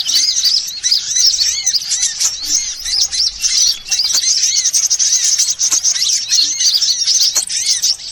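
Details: Lure recording of assorted sunbirds for attracting birds: continuous shrill twittering, thick with overlapping high chirps, with lower curved notes recurring roughly every half second and a few brief gaps.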